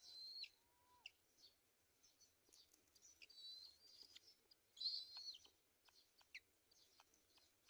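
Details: Black-winged kite at the nest while feeding its chicks: high, wavering whistles and squeals, one loud drawn-out squeal midway, then scattered soft chips and faint wheezy notes.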